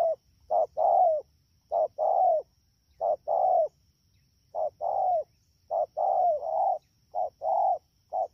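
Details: Wild-caught spotted dove recorded at Đak Tô on 3 October 2019 in the rainy season, giving fast, low, hollow coos in short-then-long pairs, some notes slurring downward, repeated at uneven intervals in a quiet setting.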